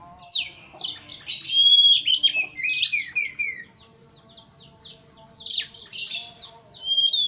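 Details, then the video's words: Provoking song of a white-rumped shama aimed at a rival: a burst of loud, varied whistles and sweeping notes, then a quieter stretch of soft chatter, followed by another energetic whistled burst near the end. "pancingan kacer emosi supaya lawan cepat ngotot/ emosi"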